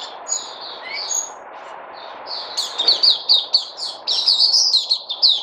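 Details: White-eye (Puteh), 03082020: a few separate thin whistles open, then a dense, bright, high-pitched twitter of rapid repeated notes.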